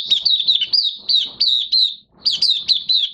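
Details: Singing Oriental white-eye, caged and in minor moult: a tight run of high, wavering chirped notes, some drawn into short downslurred whistles, one brief pause, then more quick twitters.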